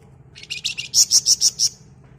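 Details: Sunda warbler, locally wergan jawa or flamboyan, singing gacor as a flock lure: a quick buzzy run of notes followed by five evenly spaced, very high piercing chips.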